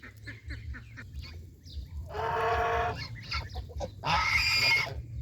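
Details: Farm geese, adults and goslings, eating fresh grass near a countryside pond; two loud harsh honks about two seconds apart, each under a second long, with softer clucking notes before them and a low background rumble.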